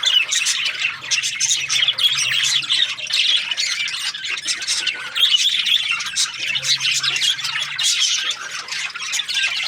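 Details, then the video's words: Breeding pairs of budgerigars chirping together: a loud, unbroken chorus of overlapping scratchy warbles and sharp chirps, with a faint low hum in the background. "Budgies parrot chirping sounds | breeding pairs"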